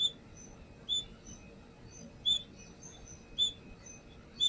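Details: Brown-throated sunbird calls used as a lure: sharp, very high chirps repeated about once every 1.2 seconds, five notes in all, over a faint steady hum.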